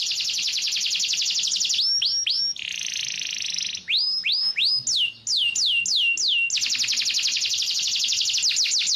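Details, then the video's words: Canary, yellow, singing continuously: rapid buzzy trills alternating with bursts of fast downward-sliding whistled notes, with one long rattling trill in the middle and another at the end. "cannary bird yellow"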